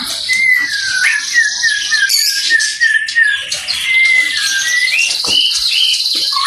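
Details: Oriental magpie-robin delivering a series of clear, slurred whistles, some rising and some falling, over a steady high, hissing wash of other chirping sound, with a few sharp clicks near the end.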